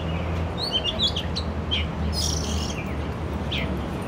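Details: Oriental magpie-robin singing in an urban area, recorded with a Canon R6: short twittering whistles and a rasping burst, set against a loud low hum.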